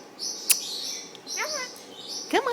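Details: Pet Indian ringneck parakeet talking to its owner and a neighbouring caged bird: sharp shrill whistled notes and chattering squawks with falling sweeps, over a steady high-pitched background hiss.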